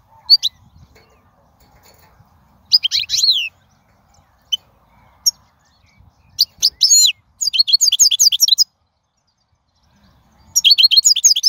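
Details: Wild goldfinch singing, played to teach young birds: scattered single high chirps and short twitters, building into fast bursts of tinkling, trilled notes separated by brief silences.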